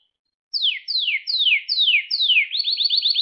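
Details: Singing canary, a recording for teaching young canaries: after a short silence, five slow descending whistled sweeps, then a fast rising rolling trill.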